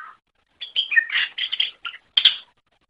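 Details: Quieter greater green leafbird song, used as training material for other birds: a short burst of harsh, buzzy chattering notes followed by one loud rasping note.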